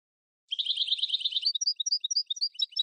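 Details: Tunisian European goldfinch singing a Sfax-style song phrase (tarqa), recorded for tutoring birds: a dense buzzy twittering burst, then a run of quick, separate high chirps and tinkling notes.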